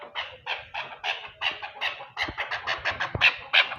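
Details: Chukar partridge in Pakistan calling with repeated rough chuk notes, about three per second, growing louder and denser toward the end, with a couple of soft thumps.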